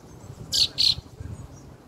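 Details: Fieldfare chick with its family, recorded on 2 June: two loud, harsh, rasping notes in quick succession, each about a fifth of a second long, over a low background rumble.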